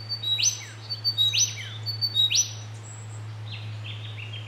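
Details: Two Pilotbirds interacting at Tidbinbilla Nature Reserve: three loud, upswept whistled notes about a second apart, then softer high twittering, over a steady low hum.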